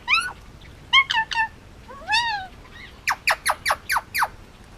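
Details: Male Indian ringneck parakeet, hand-raised and almost two years old, kept as a pet on Oahu, Hawaii, making noises: harmonic squawks and rising-falling whistles, then a quick run of six sharp descending chirps.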